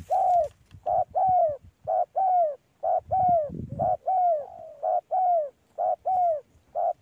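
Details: Spotted dove calling rapidly in a mango orchard, giving a steady run of short hooted coos and falling slurred notes about once a second, with a brief low rumble midway.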